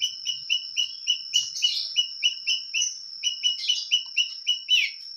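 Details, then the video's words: Long-tailed shrike in lively, full-repertoire clear song: quick repeated short whistled notes, about four per second, mixed with scratchy high warbled bursts, over a constant thin high-pitched tone. "cendet gacor full materi suara jernih"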